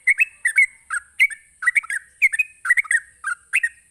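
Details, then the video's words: Sooty-headed bulbul in ropelan, a rapid song used to challenge other bulbuls. Paired chirpy whistled notes bounce in quick groups, roughly two groups per second. A steady faint high hum sits behind the notes. "suara Ropelan Trucuk"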